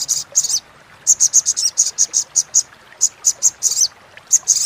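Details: Crimson sunbird chattering call used as a training recording for competition songbirds: sharp, very high buzzy notes in short bursts, repeated quickly in irregular runs with brief pauses, over a clean, quiet background.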